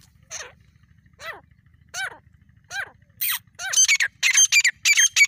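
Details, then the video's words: Grey francolin, called dakhni or desi teetar, calling in jungle in a hunting setting: a series of descending, slurred harmonic notes about once a second, then louder, harsher high bursts crowding together toward the end. "Jangle ka tateer beautiful voice dakhni Tateer"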